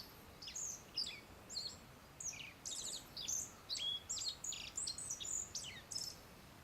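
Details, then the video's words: Wild black-faced bunting perched about 3 m away at Settsu Gorge, Hokusetsu, Osaka, Japan; high, thin chirps and short buzzy slurred notes in quick bursts about every half second, some dropping in pitch, over faint background hiss. "アオジ(Black-faced bunting)の鳴き声"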